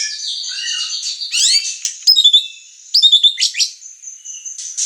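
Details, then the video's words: White-rumped shama (murai batu) song used as a lure and master track: varied high whistles, rapid descending sweeps and trilled bursts, with short pauses between phrases, no other sounds. "Pancingan emosi dan masteran murai batu gacor | shama bird singing"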